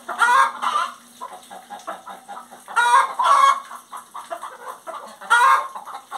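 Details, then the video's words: Singing hen giving loud, harsh cackling bursts about every two and a half seconds, separated by quieter clucking notes, with a faint low steady hum behind. "Galinha Cantando"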